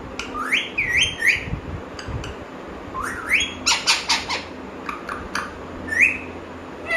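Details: Pet parrot, described as talking, giving loud rising whistled notes in quick pairs, then bursts of harsh clipped squawks and a final upswept whistle, close up indoors.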